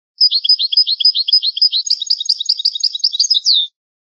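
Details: Old, original-style European goldfinch song from a rare tape: one continuous three-and-a-half-second phrase of fast, liquid twittering notes that grows busier halfway and ends on a clear, downslurred whistle.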